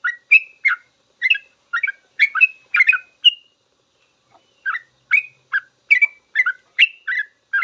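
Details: Full, long song of a sooty-headed bulbul, meant as master audio for training captive birds; chattering run of bright whistled double notes, a two-second pause, then the lively phrases resume.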